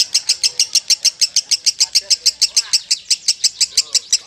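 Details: A lovebird of the Kusumo bloodline sings a drawn-out ngekek: quick, repetitive shrill chips in an unbroken chain, with faint low background sounds.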